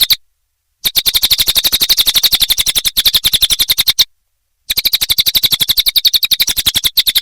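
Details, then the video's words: Rapid, shrill cililin chatter from a songbird training recording, running in two long bursts of evenly pulsed high notes with a sudden silent gap between them. "Masteran Burung cililin"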